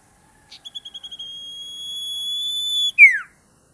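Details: Bar-winged prinia with a shrill, sharp song: a few stuttered opening notes run into one long, steady, high whistle that ends in a quick downward swoop.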